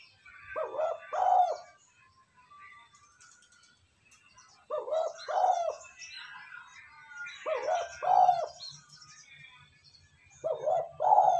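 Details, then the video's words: Spotted dove calling to excite decoy birds: four bouts of low two-part coos, each a short note then a longer rolling one, spaced a few seconds apart, with other birds twittering softly behind. "Tiếng cu gáy kích bổi nhanh nổi"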